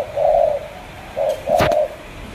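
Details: Spotted dove from Cà Mau, 'tú' type coo: one long mellow coo, then a short note and a second drawn-out coo, with a sharp click partway through the last phrase.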